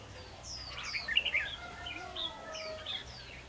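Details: Decoy red-whiskered bulbul used in trapping sings a lively cluster of sweet, slurred chirps and short whistles, while other birds add longer thin whistles in the background.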